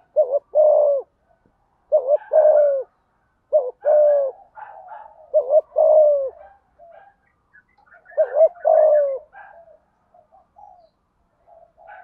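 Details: Repeated low coos of a spotted dove in the 'thúc gù' style, 'giọng thổ' voice, meant to prompt other doves: five phrases of a quick double coo and a longer falling note, with faint higher chirps between.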